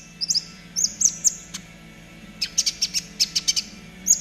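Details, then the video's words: Caged-bird training song of a gacor trotol konin: bright, high whistled notes early, a pause, then a fast run of sharp repeated chirps, with a low background hum. "TERAPI KONIN TROTOL AGAR CEPAT BUNYI || MASTERAN KONIN TROTOL GACOR"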